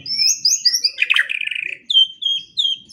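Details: White-rumped shama masteran for morning and evening training of songbirds: high thin whistled notes, a brief buzzy rattling phrase, then clear descending whistles.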